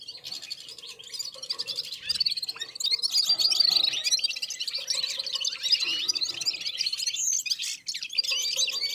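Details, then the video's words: Red-fronted serins (Serinus pusillus) from Central Asia singing together in unison, warming up after feeding, with other birds around; sustained bright, fast twittering and warbling trills, loud and overlapping, with brief pauses. "Попели поели и опять попели в Унисон Красношапочные вьюрки"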